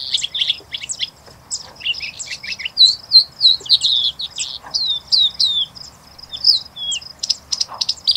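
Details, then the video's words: Singing bush lark (Horsfield's bushlark) singing at Sabya, Jazan Region, Saudi Arabia: a rapid, jumbled run of high, sharp twittering notes and short ringing slurs, delivered almost without pause, with faint low background hum. "Singing Bush Lark (Arabic: قبرة الشجر)"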